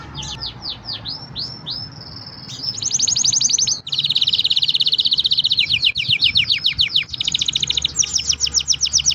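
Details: Green canary singing a fast, varied song: looping whistled notes give way to rapid buzzy trills and rolling repeated phrases, some several per second, loud and continuous.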